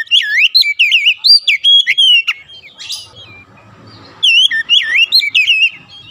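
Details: Song of an Oriental magpie-robin used to stimulate caged birds: two fast runs of loud looping, rising-and-falling whistles, separated by a short stretch of low rumbling background noise.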